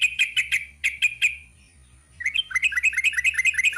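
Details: Sooty-headed bulbul singing "ropel panjang": a handful of loud chirps, a brief silence, then a fast, steady string of bright notes running to the end.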